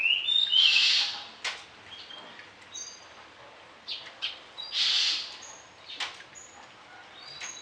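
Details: Varied song of an orange-headed thrush, sung vigorously as a tutor for other birds at morning and evening: loud harsh bursts alternating with thin high whistles and short clicks over steady hiss.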